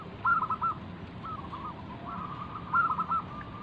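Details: Local zebra dove, a lure bird meant to set other doves singing, gives quiet bursts of quick stuttering coos, a softer phrase, then another stuttered burst, against steady background noise.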